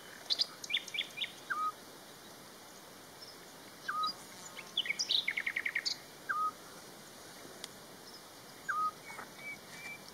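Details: Eurasian scops owl (İshakkuşu): short, plain whistled notes, each a single soft 'tyoo', given four times about every two and a half seconds, while other small birds chirp, one with a quick rattling trill, over a faint steady high hum.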